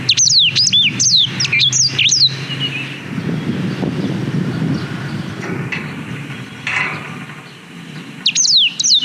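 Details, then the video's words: GoPro Hero 5 recording of a black-throated canary singing, meant for tutoring canaries: a two-second volley of rapid, high, falling whistles, a long stretch of low noise, then a final burst of notes. "Suara Blackthroat Durasi Panjang Untuk Masteran Kenari"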